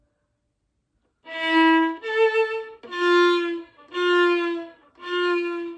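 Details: A solo violin plays five sustained bowed notes after a short silence, with no animal sound.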